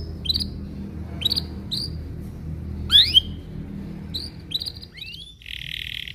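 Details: Belgian canary singing in the morning as a lure for young canaries to learn from: sparse, separated rising chirps with short hooked notes, a brief upslurred whistle and a closing buzzy trill, over a faint low hum.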